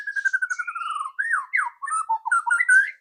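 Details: White-rumped shama giving a loud ketrekan lure song to get a bird singing quickly: a clear whistled series slides steadily downward, followed by varied looping, rising and falling whistles.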